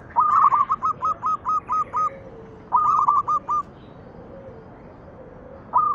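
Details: Local zebra dove song used as a lure to get other doves singing: two bursts of rapid, clipped cooing notes, about nine then five, each note hooked and hollow, over a quiet background hiss.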